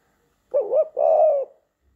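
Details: Spring courtship cooing from a male spotted dove kept as a pet, wooing its owner indoors; one mellow two-part coo, a wavering rising-falling note followed by a longer, level hum.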